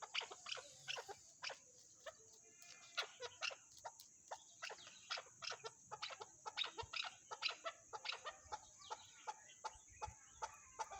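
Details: Long run of crisp clucking calls from a chukar partridge, notes spaced unevenly and sometimes doubled, with a persistent high-pitched whine and faint low rumble.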